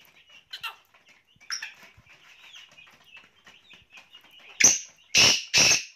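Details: Black francolin from Pakistan: faint scattered chirps and buzzy notes build to three loud, grating, explosive notes near the end, roughly half a second apart.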